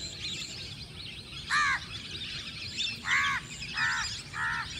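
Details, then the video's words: Lesser whistling ducks (Dendrocygna javanica) in a paddy field: four short, harmonic, slightly arched whistled calls, each about a quarter second, at irregular gaps. Constant high chirping and a rural noise bed run underneath. "Paddy Field Full of Whistling Ducks | Lesser Whistling Ducks| (ചൂളൻ എരണ്ട)"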